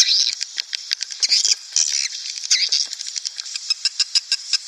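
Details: Recording made to attract breeding swiftlet flocks into a nest house: high, thin chirping twitter with a steady stream of sharp clicks, bright buzzy notes early on, then evenly spaced ticking toward the end.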